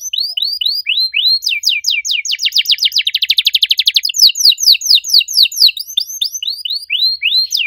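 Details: Canary singing loudly in a unique style, arched whistles building into rapid downslurred notes and a fast buzzy trill, then returning to arched, repeated whistled phrases.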